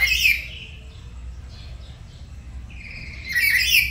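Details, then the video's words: Pet black-capped lory learning gacor singing one morning at home, duetting: a harsh screech cut off at the start, a quiet gap, then a rising, rasping squawk building toward the end. "Belajar Gacor pagi pagi | Duet Nuri Kepala Hitam"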